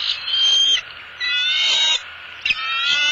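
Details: A bald eagle pair at a southwest Florida nest as the male passes the female a headless fish. Three drawn-out, high, piercing whistled calls are separated by brief gaps.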